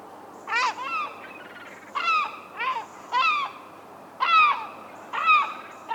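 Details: Wild herring gull laughing call: loud, strident, ringing yelps in quick bursts, about six in six seconds, each note sharply rising then falling, with faint high thin tones in the background.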